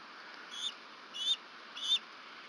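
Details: Bald eagle eaglet at a nest at Berry College, Rome, Georgia, on 27 April 2023, flapping and hovering in the rain: three thin, high chirps spaced evenly about 0.6 seconds apart over a steady hiss of rain.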